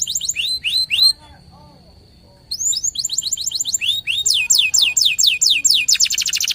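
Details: A local canary gives a few swooping whistles, falls silent under a thin steady tone, then returns with accelerating phrases of descending sweeps that end in a fast rattle.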